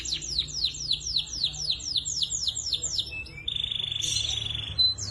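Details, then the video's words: Young canaries used as a song tutor: a run of about a dozen clear descending whistles, followed by a short flat buzzy note and a sharp upslurred call. "KUMPULAN SUARA BURUNG KENARI GACOR (MASTERAN KENARI ANAKAN)"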